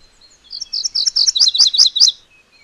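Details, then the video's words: Singing MacGillivray's warbler gives a short, high, chanted phrase of rapid repeated notes. The first notes are sharp and evenly spaced, and the later ones are paired and lower, before the phrase ends abruptly. "MacGillivray's Warbler Song ! MacGillivray's Warbler Sounds ! MacGillivray's Warbler Call"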